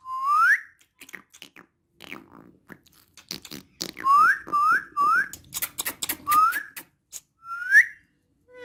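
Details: Talking female ringneck parrot, an Urdu and Hindi speaker, repeating a bright upswept whistle several times with crunchy clicks and chatter in between.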